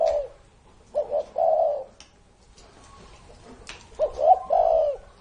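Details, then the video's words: Elderly spotted dove, said to be over three decades old, sings two full cooing phrases a few seconds apart, short soft notes leading into a sustained low coo. "CU GÁY CỤ hơn 30 năm tuổi"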